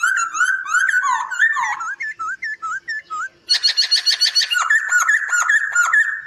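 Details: Training master song of a white-crested laughingthrush: rich whistled warbling, then a run of short upturned whistles about every third of a second, ending in dense rapid high chatter with fluttering repeated notes.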